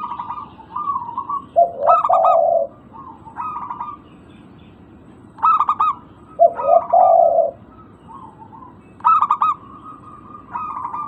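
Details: Local zebra dove, used to coax silent birds into calling: bursts of rapid staccato cooing alternate with lower, mellow drawn-out coos, the pattern returning about every four to five seconds.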